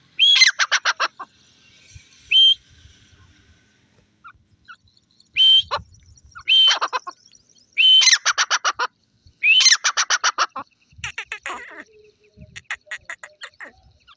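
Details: Repeated francolin calls. Each bout starts with a short whistle and breaks into a rapid series of loud, rasping notes, with several bouts spread across the recording and faint background noises between them.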